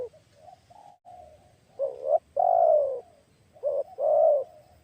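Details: Spotted dove (tekukur) calling while luring wild doves: soft low murmurs at first, then two clear phrases of a short rising coo and a drawn-out falling coo, with a low background rumble.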